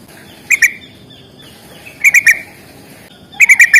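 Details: Sooty-headed bulbul in fighting-style 'gacor tarung' singing: three short bursts of quick, bright chirped notes, each burst two to four notes, separated by pauses of over a second, over a faint steady background hiss.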